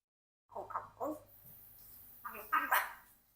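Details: Four-year-old pet Congo African grey parrot, adopted and kept with a household flock, talking: two short speech-like phrases of voiced syllables, a brief pause, then louder, higher, strained syllables at the end; a faint low hum beneath.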